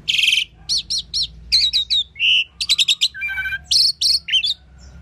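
An Asian pied starling sings a rapid, varied medley of whistles, chirps and harsh notes, mostly high-pitched, shifting every fraction of a second.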